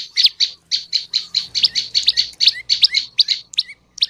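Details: Lure song of the olive-backed tailorbird, meant to draw male and female birds into singing: an unbroken series of loud, high, clipped chirps about three per second, ending in a few slightly spaced notes.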